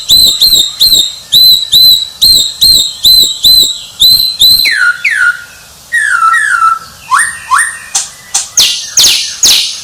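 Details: Champion white-rumped shama repeating a bright ringing whistle about twice a second, then shifting to lower, falling slurred notes and harsh, buzzy sweeps.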